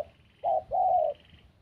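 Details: Spotted dove cooing: a short, soft hoot followed by a longer, steady, mellow coo, low and hollow in tone, with a faint high hiss in the background.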